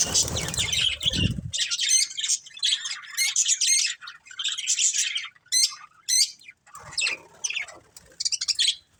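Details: A family of colourful pet budgies chatters steadily: dense high warbling mixed with sharp clicking ticks and squawks, running for several seconds with short gaps; a low thump and rustle at the start.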